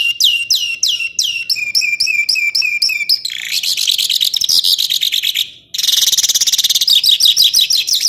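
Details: Songbird on a full-length master track for training contest birds; about a dozen sweeping whistled notes in a row, followed by dense rapid chattering trills with a short pause between them.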